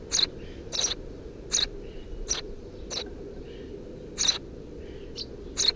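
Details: Eurasian tree sparrow nestlings, three chicks in a nest under a house roof, filmed 2 June 2017: short high chirps repeated irregularly, roughly forty per minute, over a steady low background hum.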